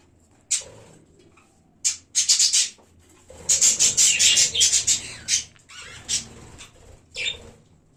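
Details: Budgerigars in a pet colony on 1 January, loud rasping squawks and scratchy chatter in uneven bursts, some clustered rapidly, others single, with brief pauses between.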